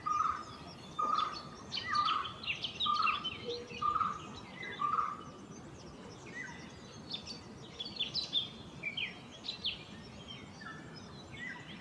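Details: Golden-fronted leafbird in India sings a lively jumble of high, varied chirps and squeaky whistles, while another bird gives six low, hollow notes about once a second.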